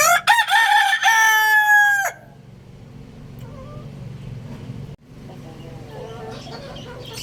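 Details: Lohmann Brown rooster giving one loud, strongly harmonic crow lasting about two seconds, held steady then breaking off abruptly, followed by a low background hum with a few faint soft notes.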